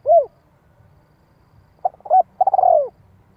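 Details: Luring call of a spotted dove in 'giọng hạp' style: a lone rounded coo, silence, then stuttering short notes leading into a level coo and a drawn-out purring coo falling in pitch.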